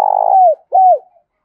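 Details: Spotted dove decoy bird, used to quickly provoke wild doves, cooing: a long, steady, slightly buzzy mid-pitched note that dips at its end, then a shorter arched coo, in a quiet setting.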